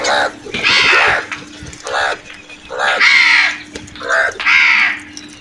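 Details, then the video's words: Crows squabbling over food, loud raspy caws repeated in uneven bursts, some long and drawn out, some short and clipped. "Crows vocal and brutal attack on food"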